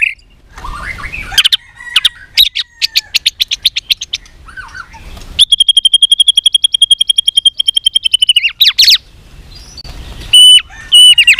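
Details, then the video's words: Contest-trained white-rumped shama singing in varied voices: quick repeated notes, a long even series of rapid high pulses lasting about three seconds, and loud short whistles at the end. "chòe lửa hót đấu .luyện chòe lửa căng lửa hót nhiều giọng .chòe lửa đánh đuôi thúc bổi"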